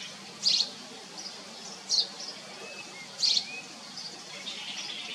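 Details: Common iora feeding its young. Three loud, high chirp bursts come about every 1.4 seconds, separated by softer thin twitters and a low hum of background noise.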